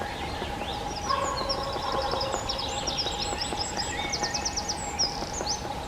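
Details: Male Eurasian wren in the Czech Republic pours out a loud, high-pitched song of rapid twitters and fast rattling trills, over a steady low hum and background noise.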